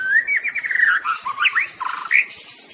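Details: Murai batu, the white-rumped shama, delivering a dense rapid phrase of buzzy trills and warbled notes, followed by quick twisting slurs and a final rich burst, against faint hiss.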